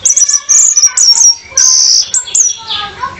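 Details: Luring song of a female orange-headed thrush aimed at a male: long, piercing high whistles, some held steady and some bending, separated by brief gaps.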